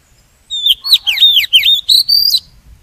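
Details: Decoy oriental magpie-robin song, used for trapping and to spur other birds to sing: a two-second string of clear, sweet whistles with quick upward and downward slurs and short warbled notes over a faint low background hum.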